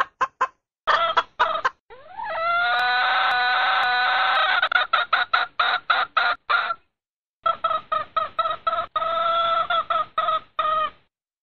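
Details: Red junglefowl hen summoning the rooster in the breeding season, with a few clucks, a long level drawn-out note lasting about two seconds, then rapid strings of clipped clucks and short tonal notes after a brief pause.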